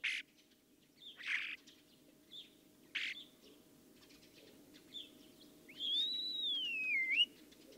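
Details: A Common Starling sings a few harsh, hissing notes, then a long, clear, slurred whistle that falls and then rises again, over a faint low hum.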